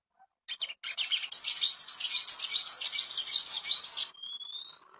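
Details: Ashy tailorbird master song used to bring birds into breeding condition: a steady run of high, rising chirped notes lasting about three seconds, ending in a thin drawn-out whistle.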